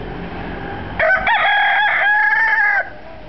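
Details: A neighbour's rooster crowing once: a loud, harsh cock-a-doodle-doo lasting about two seconds, with a stuttering start and a long, level, strained ending, over steady low background hum.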